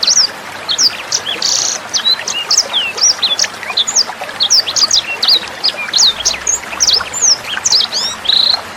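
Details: Sanger bird song recorded as a master track for songbirds such as Cucak Hijau: quick, high twittering chirps and sweeping whistles, one rasping buzzy burst early on, over the sound of gently running water.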